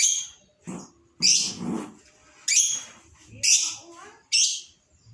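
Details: Excited lovebird heard as a lure for other birds: about six sharp, high, harsh chirp bursts at irregular intervals, each fading quickly, with soft low-pitched background noise between them.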